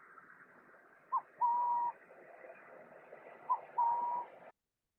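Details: A Western Burrowing Owl gives its territorial coo-coo call, a soft, hollow coo-cooo twice: a brief note, then a longer steady one, over faint steady background noise.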